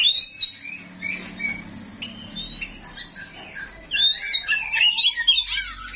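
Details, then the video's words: Small 'rawit' oriental magpie-robin delivering rough-fill song to provoke replies from other magpie-robins: scattered sharp whistles and squeaky notes, building into a dense warbling burst near the end over low background hum. "KACER RAWIT BONGKAR ISIAN KASAR, BIKIN KACER LAIN PASTI NYAUT"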